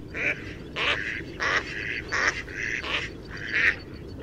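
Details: Mallard giving nasal, harsh quacks in a loose series of about six, each roughly half a second apart with uneven spacing, over a low background rumble.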